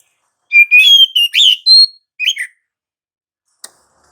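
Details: Oriental magpie-robin, gacor ngerol song serving as a lure to set other magpie-robins singing: a quick sequence of clear whistles stepping up and down, ending in a buzzy twitter, then a single faint click.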